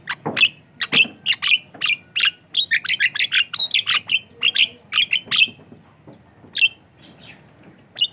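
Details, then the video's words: Javan myna song, a gacor lure for training other mynas: fast rattling series of scratchy chirps and squeaks, dense for five seconds, then thinning to scattered notes. "COCOK UNTUK PANCINGAN JALAK KEBO BAHAN || jalak kebo gacor calon pemasteran"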